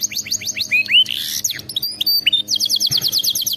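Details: Canary song for training birds to sing: quick rising whistled notes, a buzzy burst, varied chirps, then a fast high repeated trill.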